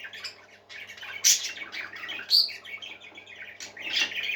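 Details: Parakeets singing in chorus: rapid, rambling twitters and chirrups with a few louder squawky notes standing out. A soft low hum runs throughout.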